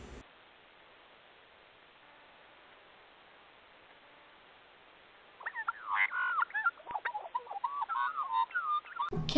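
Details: Australian magpie in Sydney, Australia, caught on a doorbell camera, breaks into a rich fluting carol of quick warbled and gurgling notes, rising and falling, after only a steady hiss.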